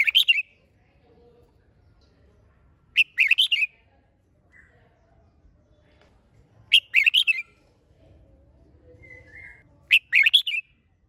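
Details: Red-whiskered bulbul pushed to sing hard: a crisp, bright burst of three to four quick warbled notes repeated every three to four seconds, separated by near silence.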